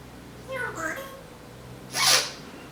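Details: A female pet Timneh African grey parrot utters a brief speech-like phrase with shifting tones, then a loud, hissing, noisy burst like a sneeze or imitated mechanical sound; she is known to mimic vacuum and packing-tape sounds.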